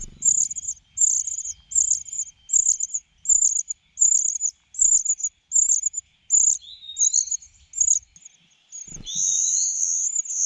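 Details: Cuckoo being fed and still demanding more food: rhythmic bursts of thin, high, buzzy begging about every 0.8 seconds, then a sliding whistled note, a low thump and a longer continuous buzzy wheeze.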